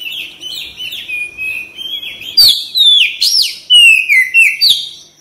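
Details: Oriental magpie-robin (kacer) song used as therapy to prompt quick response, lively singing and tail opening: rich, loud whistled phrases with rapid sliding notes, sweeping up and down, interspersed with sharp chirps in a busy rhythm.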